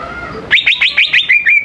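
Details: Greater green leafbird singing to lure young leafbirds into song: a sudden burst of seven rapid, bright whistled notes, each dropping sharply then levelling, repeated at an even, quick pace.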